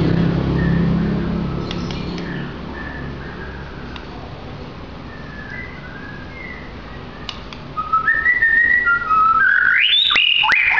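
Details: White-rumped shama, a roughly two-year-old bird with a 20 cm tail kept at a coffee shop in Sidoarjo, Indonesia, that sings from when its cover is opened each morning: soft spaced whistled notes over a low hum, then a loud burst of rich, rising and falling whistled phrases.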